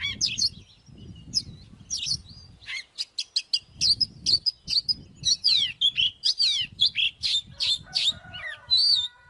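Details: Oriental magpie-robin fighting song, sung by a lure bird to stir rivals to fight. Sharp whistles and slurred notes start sparse, then come in rapid clusters that grow denser. Light low background noise is present in places.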